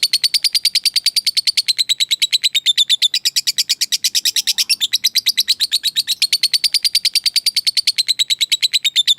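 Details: Long ngekek chatter from a lovebird fighter, used to call and provoke a rival: an unbroken, very fast, steady stream of grating, buzzy notes lasting the whole clip.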